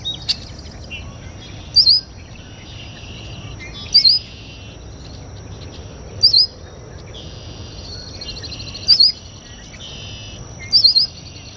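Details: Red-winged Blackbird at a local water basin giving short, sharp, high call notes, each a quick doubled burst, repeated about every two seconds over a faint steady background.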